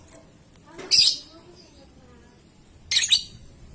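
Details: Paud lovebird, used to lure others into long ngekek and ngetik song: two harsh, high chirps about two seconds apart, with quiet pauses between.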